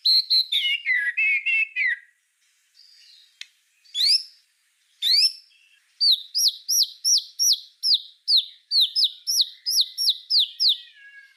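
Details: White-rumped shama singing as a master recording for tutoring songbirds: a warbled descending phrase, scattered upswept notes, then a steady series of loud hooked whistles repeated roughly twice a second.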